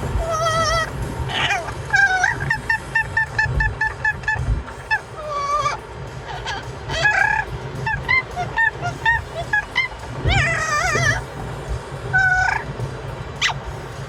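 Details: A pet Amazon parrot gives a rapid run of loud, honking squawks and wavering whistled notes, several per second, on a Sunday car ride over the steady low rumble of the moving car; it is somewhat irritated at not being allowed to chew the seat.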